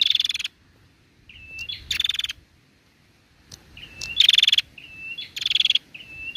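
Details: Bar-winged prinia female, calling to prompt males to sing: short whistles and loud buzzy rattles alternate, a pause of about a second, then a quicker run of whistle-and-rattle pairs.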